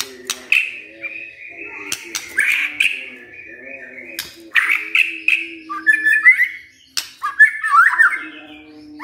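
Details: White-rumped shama singing in reply after hearing a lure recording: loud whistled phrases, some sliding and warbled, broken by sharp clicks, with a steady low hum underneath.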